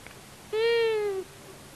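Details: A male and female long-eared owl visit a buzzard nest in Tiszavasvári, Hungary, on March 23, 2022, filmed by a solar-powered camera. One prolonged, mewing, harmonic call sinks slightly in pitch over about 0.7 seconds above a quiet, hissy background.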